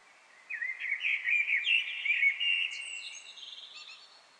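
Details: A Eurasian (common) Blackbird sings in a reverberant Paris apartment courtyard: one mellow, fluted warbling phrase ending in a thin, high twitter, ringing with echo off the surrounding walls.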